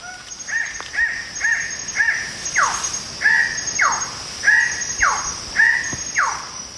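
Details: Red bird-of-paradise in canopy at sunrise on a mountain trail in Raja Ampat, New Guinea, giving loud, harsh, crow-like calls, some hooked and some sweeping downward, nearly two per second, over a steady high insect whine.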